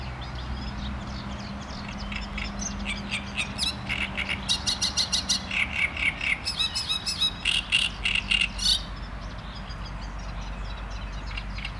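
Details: Great reed warbler starting with faint notes, then a strong six-second phrase of harsh, repeated croaks and chatters that stops abruptly, leaving quiet background.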